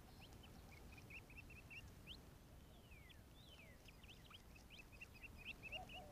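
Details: Eleven quail chicks chirping while drinking at a pond on an Arizona afternoon: rapid runs of short, high peeps in quick series, with scattered slurred notes from other birds and low whistles in the background.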